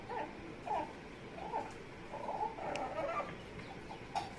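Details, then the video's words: Amazon parrot named Hecko making funny noises: a run of short, nasal, whiny squawks and warbles, some rising and falling like a fussing cry, with faint clicks in a quiet room. "Hecko is making funny noises."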